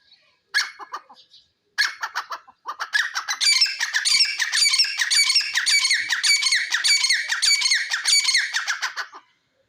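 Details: Grey francolin, known locally as jungle teetar, calling: two short harsh bursts, then a long loud run of ringing, rapidly repeated notes, close to two per second, kept up for about six seconds before stopping abruptly.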